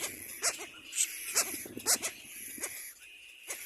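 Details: Little black cormorant chicks competing for food give shrill, harsh, squealing begging calls in uneven bursts about twice a second, each with a sharp rasping edge, over a steady high hiss.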